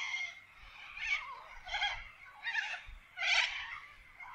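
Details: Wild corella calls in Australian forest: five hoarse, raspy squawks about two-thirds of a second apart, each a short noisy burst, over a quiet low rumble.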